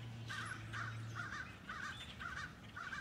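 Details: Blackbirds flocking over an Edison, New Jersey neighborhood: a steady run of rough, two-part chattering calls roughly twice a second, above a low droning hum.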